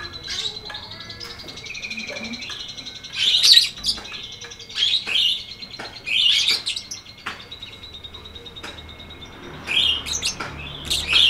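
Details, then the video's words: Lovebird long ngekek song for training birds that have stopped singing: loud shrill chattering phrases between rapid rattling trills, repeated through the recording. "MASTERAN LOVEBIRD NGETIK NGEKEK PANJANG FULL DURASI!!"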